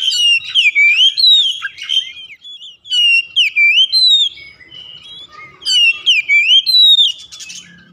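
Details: Song of an oriental magpie-robin, meant to stimulate a caged house bird that is slow to sing: three loud bursts of swooping whistles and sharp chirps, each phrase repeated in similar pattern, with near silence between them.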